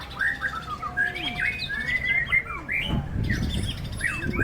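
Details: Contest white-rumped shama in strong wind, giving rapid bright whistles and chattering slurred notes among other singing birds, with heavy wind gusts buffeting the second half.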